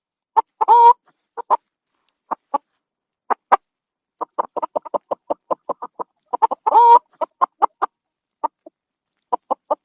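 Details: Busy chicken clucking in a henhouse: rapid strings of short clucks broken twice by a longer nasal squawk, over a quiet background.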